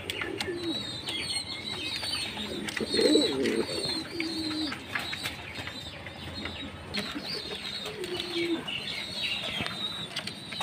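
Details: Low, throaty Jacobin pigeon coos come in short bursts amid busy clicking, faint human speech and scattered high chirping from other birds.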